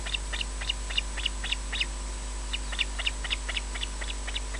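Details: Osprey defending its nest at RSPB Loch Garten, Scotland, on a wildlife camera: a rapid run of thin, high whistled alarm notes, about four per second, heard over steady hiss and a low hum.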